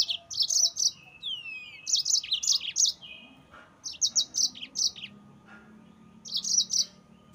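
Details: Yellow-fronted canary song meant to excite rival birds: four bursts of quick high chirps and trills, with a faint descending whistled slur early on.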